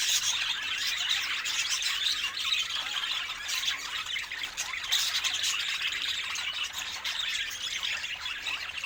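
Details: Budgerigars keep up a constant chattering warble, with many small chirps, clicks and squeaky notes piled on top of each other. The level stays even and unbroken throughout.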